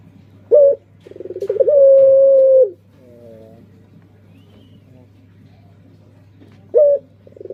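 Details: One full song from a puter pelung dove: a short sharp note, a swelling pulsed trill and a long level coo, then quiet soft notes before another sharp note opens the next phrase, over a faint hum.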